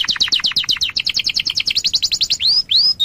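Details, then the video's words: Young canary used as a tutor recording so other birds learn to sing: a fast, bright trill of about twelve notes a second, then two high, clear whistles that curve up and down; no other sounds. "masteran kenari paud biar cepat gacor"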